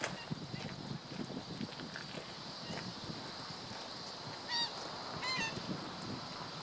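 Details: Black-winged stilt, 17 August 2013: after several seconds of steady hiss, two clear nasal honking yelps come close together near the end.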